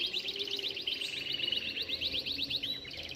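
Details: Canaries from a breeding setting in full song: a rapid, steady high trill of clipped repeated notes, over a faint low background hum.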